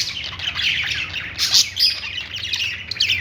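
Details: Pet budgerigars in happy chatter: dense, rough warbling with squeaky chirps layered from multiple birds, continuous throughout, with a low hum beneath.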